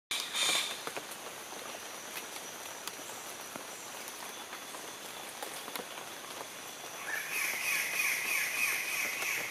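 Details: Standardwing bird-of-paradise (Semioptera wallacii) during display: a brief loud burst, then harsh, grating, crow-like notes in a fast rasping series near the end, with faint forest background between.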